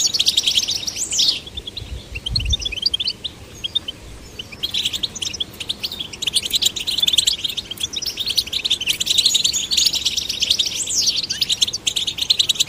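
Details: Goldfinch chicks, male and female, prompted to sing: fast tinkling twitters with a few rising slurred whistles, a quieter spell near the middle, then renewed chattering bursts.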